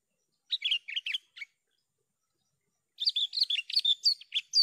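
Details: Javan bush lark giving a brief cluster of buzzy, rattling chirps, silence for about one and a half seconds, then a longer, busier phrase of mixed high whistles and harsh notes. Clean recording without background noise.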